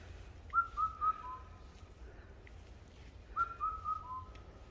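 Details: A wild bird singing in the mountains: a clear whistled phrase of three or four short, slightly falling notes followed by a lower trailing note, given twice about three seconds apart, with a quiet outdoor background.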